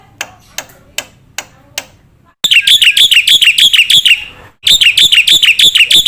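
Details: Black-winged myna on a cage-bird training recording meant to prompt young birds: several sharp, spaced clicks, then bursts of quick, scratchy, ringing notes at about three per second, broken by a short pause.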